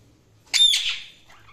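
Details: Budgerigar chirping: one harsh, buzzy squawk of about half a second, loudest at the start and then trailing off, followed by a faint, softer chirp against quiet background.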